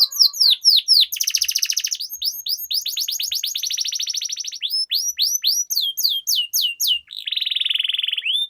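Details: Long rolling canary 'ngerol' song for tutoring: alternating rapid buzzy trills and sharp falling whistled notes, ending in a steady harsh buzzing roll.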